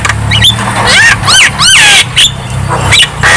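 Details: Javan myna singing, played to coax lazy birds into song: looping whistled arcs and rising notes between rough squawks, with traffic rumble underneath.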